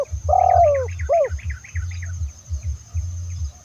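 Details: Spotted dove, called terkukur in Indonesia, used as a lure for other doves: a long falling coo and a short arched note, with a rapid series of higher chattering notes above and steady low thumping throughout.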